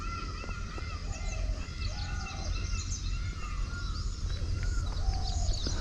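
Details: Indian peafowl, one standing behind a tree with its train spread, call among paddy fields and coconut trees near Gowdagere village, Channapatna, Karnataka: drawn-out, arching wails a few times, amid busy small-bird chirping and low wind rumble.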